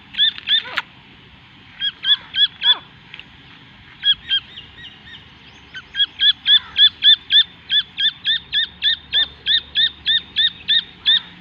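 A partridge chick gives high, clear peeping notes, three to four a second, in steady runs broken by short pauses; faint background rustle.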